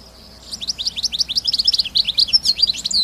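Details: Wild European goldfinch singing out in the wild: a fast, tinkling run of high twittering notes and short buzzy trills, about two per second, growing louder toward the end, over a faint low rumble of background noise.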